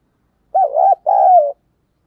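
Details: A spotted dove used as a decoy gives a loud, mellow coo: an undulating short note, a tiny gap, then a sustained note easing downward, clean and isolated.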